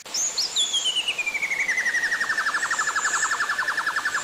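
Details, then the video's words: White-rumped shama song from a training master with sharp 'shot' phrases: a high whistle sliding steadily downward, running straight into a rapid, even trill of short notes repeated about four per second over background hiss. "MASTERAN MURAI BATU TERBARU 2025 🔥 | FULL ISIAN & TEMBAKAN"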